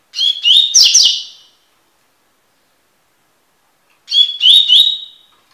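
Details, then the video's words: Double-collared seedeater, Sporophila caerulescens, singing: two short bright phrases of rapid slurred whistled notes near the same pitch, each about a second long, separated by nearly three seconds of silence. "coleiro tui tui cantando (encarte)"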